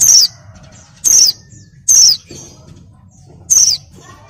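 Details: Female oriental white-eye, in breeding mood, luring a male: four high, thin notes, each dropping in pitch, given roughly once a second over steady low background noise.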